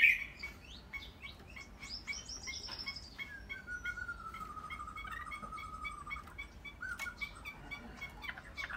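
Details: Captive Chinese hwamei giving a varied song: short sharp notes, a high sweeping whistle, then a long drawn-out falling whistle followed by scattered chips, with faint background hiss.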